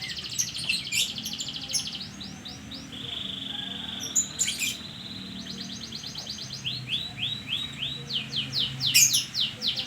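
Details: Lure canary song played to coax a reluctant canary into singing: bright, fast trills and a sustained high whistle, followed by runs of quick descending repeated notes.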